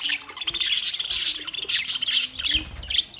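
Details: A colony of budgies kept in a parrot colony setup, giving a continuous stream of shrill, scratchy chirps and squawks from many birds at once, dense and unbroken throughout.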